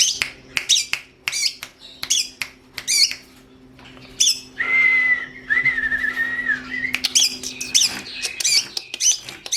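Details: Long-tailed shrike song for training other songbirds: quick, harsh high notes, then a long thin whistle holding steady for about two seconds, and a renewed run of scratchy phrases.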